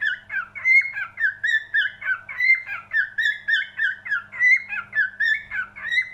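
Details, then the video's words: Steady cockatiel singing made of bright whistled chirps, sliding pitch inside each note and repeating about three times a second, with a faint low drone in the background. "Best Cockatiel singing"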